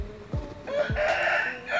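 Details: A seven-month-old black Bangkok rooster, kept at home in Indonesia, gives a brief, strained crow, a drawn-out harmonic note held for under a second.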